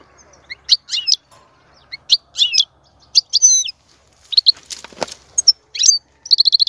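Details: Goldfinch song to encourage a female to mate and breed, quick high liquid twitters in clusters, a brief flutter of wings midway, ending in a fast buzzy repeated note series.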